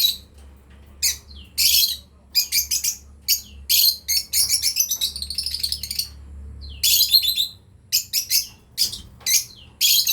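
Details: Breeding pair of lovebirds in steady chirping, with strident, high bursts and a dense chattering passage midway, then quicker, clipped chirps, over a faint low hum.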